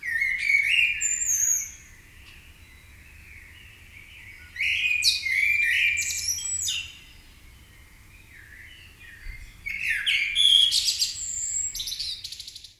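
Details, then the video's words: Birds awakening at dawn in Marousi, Athens, Greece: three separate phrases of jumbled chirps, whistles and buzzy trills, each lasting two to three seconds with quiet gaps between, over a low steady background hum. "MAROUSI BIRDS AWAKENING"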